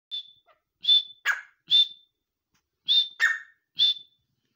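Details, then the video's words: A grey francolin (teetar, partridge) gives loud, shrill whistled notes mixed with harsher, rasping ones in quick groups of three or four, repeated about every two seconds. "Partridge Voice | Teetar ki awaz | Grey Francolin"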